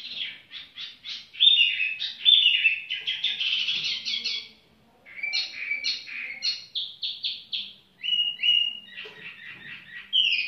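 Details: A long tiểu mi bird song of quick clipped notes, loud rolling whistled runs, a brief pause, then varied descending phrases and bright chirps.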